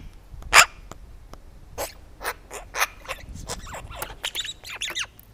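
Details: Close-up magpie bothered by a camera left near its food, producing a loud harsh yap followed by a string of shorter scratchy clicks and squeaky upslurred notes.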